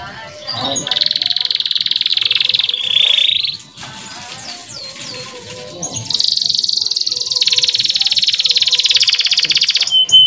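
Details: Male canary tutor song for young birds, with long sustained rolling trills of rapid pulses, broken by a middle section of scattered sweeping notes, then another extended trill stepping down in pitch.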